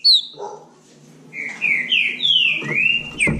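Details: Bahia saltator competing with a rival, a high opening note followed by long, smooth whistled slurs rising and falling, ending with a sharp knock.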